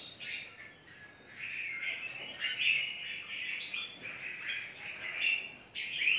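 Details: A steady chorus of red-whiskered bulbuls at a large captive breeding aviary in Phetchaburi: bright, bubbly chattering and short whistled phrases overlapping from many birds, with louder rising notes every second or so.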